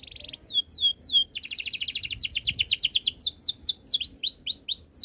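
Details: Canary song: a brief buzzy note, then downward-sweeping whistles, a fast rapid trill, and a run of looping upswept notes repeated several times per second.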